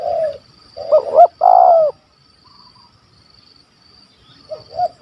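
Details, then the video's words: Wild spotted dove with a big 'kuk 1 2' stuttering voice, a hunters' target in Malaysia: a falling coo, then two jerky upswept stutter notes and a loud long coo, followed by quiet and a faint restart. "Bl Gagap Suara Besar Kuk 1 2"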